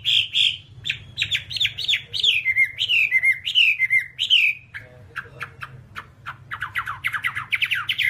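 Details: Chinese Hwamei song from a one-hour tutoring recording: loud whistled phrases falling in pitch, repeated about every half second, then a faster run of sharp chirps and descending slurred notes, over a steady low hum.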